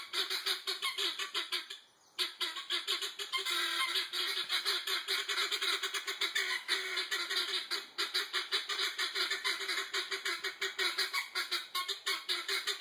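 A flock of guineafowl keeps up a harsh, rhythmic, rattling chatter of overlapping cackles.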